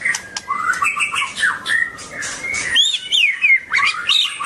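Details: Song of a long-tailed white-rumped shama: dense, chattering phrases of warbled whistles, then sharper swooping notes that rise and fall, against steady background rustle.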